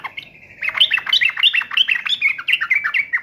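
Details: Sooty-headed bulbul singing in agitated, raging fighting mode: a steady whistled note opens, then a fast, jumbled run of bubbly, chattering notes bouncing up and down, roughly three per second, with no other sounds.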